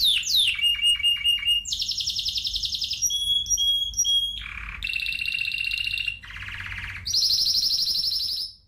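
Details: Spanish timbrado canary singing a varied sequence: quick descending notes, a dense rattling trill, pure whistles, a low buzzy segment, then rolled trills that rise to a loud high trill before fading.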